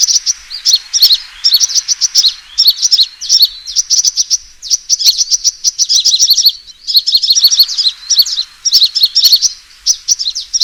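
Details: Sunbird fighting call used as a trapping lure: rapid, high-pitched twittering and sharp chirps in dense bursts, almost continuous with short gaps, no other sounds.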